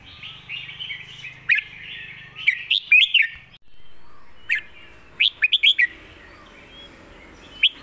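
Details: Red-whiskered bulbul master song: scattered whistled notes, then a fast phrase of four or five loud whistles near the end, with background warbling and a brief low hum early on.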